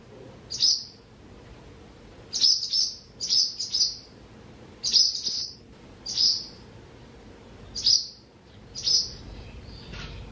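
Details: A barn swallow being watched at its nest by the Tama River, Japan, gives sharp, high chirps, singly or in quick runs of two or three, about a dozen in ten seconds, over a faint low hum.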